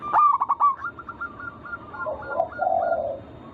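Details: Zebra dove, local natural type, singing to lure other doves: several loud quick stuttering notes, then a steady train of short coos, ending in a soft rolling purr.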